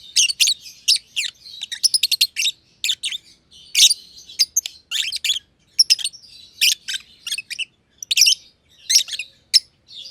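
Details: Green and green pied masked lovebirds chatter in their aviary with a long, busy stream of sharp, high chirps, sometimes in rapid flurries of clicks and sometimes as single strident squeaks.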